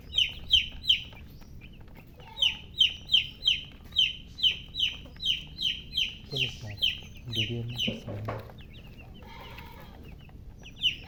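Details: Baby chicks chirping: clear, high, falling peeps in quick runs of several notes. A short mixed low noise breaks in midway before the peeping resumes.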